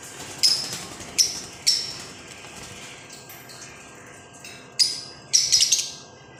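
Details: Green pet parrot giving a handful of short, high, thin chirps spread over several seconds, some in quick pairs, with quiet gaps and faint background hiss between them.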